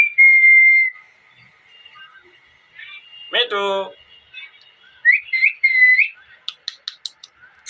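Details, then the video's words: Loud ring-necked parakeet, a talking pet parrot: a steady whistled note opens, then a short harsh, buzzy burst, several rising and falling whistles near the same pitch, and a closing run of sharp clicks. "Loud parrot noise || parrot talking sounds parrot chirping voice|| ring nick parrot"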